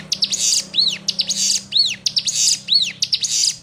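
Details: Sunda warbler (ciblek gunung) tutor song for newly caught birds, one of six variants: high arched whistled notes alternating with buzzy, scratchy bursts, phrases repeating about once a second, over a faint low hum.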